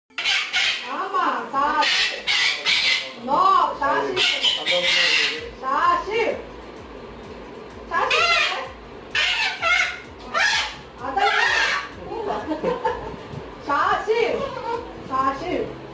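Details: A cockatiel talks to a baby, chattering in bursts of squawky, warbling, speech-like phrases with short pauses between.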